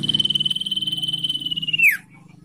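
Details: Common iora 'ngetir' trill, used to lure and train captive birds: one high, evenly pulsed whistled trill lasting about two seconds, finishing with a sharp descending slur.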